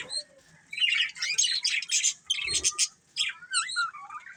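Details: Colourful pet budgerigars: bursts of scratchy chatter and squawks broken by short gaps, then clearer rising and falling whistled notes toward the end, with a few soft low thumps.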